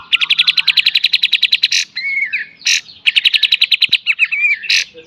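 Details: Kapas tembak cage bird singing a full beset and tembak style master song for training: rapid rattling series of sharp high notes, bursts of harsh noise, then slurred whistles, the rattle repeated again.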